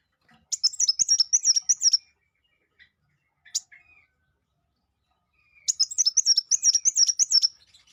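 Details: Sangkrut bird giving two separate fast trilling phrases of high, rhythmic chirps, each about a second and a half long, with a few scattered soft notes in the quiet gap between them.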